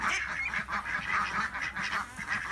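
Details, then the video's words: A flock of domestic ducks on a farm, calling together: dense overlapping raspy quacks and laughing calls in a continuous chorus. "26 Quacking and Laughing Ducks!"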